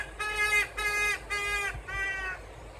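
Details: Signature cat-like calling of a Trumpeter hornbill in Kruger National Park's Mjejane Private Game Reserve, South Africa, recorded December 2022: four nasal, whining notes in quick series, each about half a second, the last slightly lower and fading.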